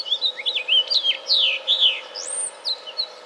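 A house finch gives a quick jumble of high, slurred chirps and twittering notes, some rising and some dropping, over faint background hiss.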